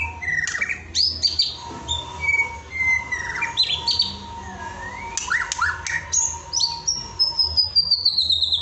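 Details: White-rumped shama in full, steady song, kept as a training recording for teaching other shamas to sing; rich varied phrases of clear whistles, sharp rising and falling slides and quick chirps, high-pitched, with a faint constant hum underneath.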